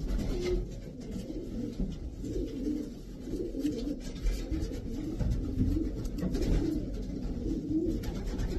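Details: Racing pigeons cooing in chorus: soft, throaty, wavering coos repeated and overlapping, some short rising notes above the low hum, with faint clicks.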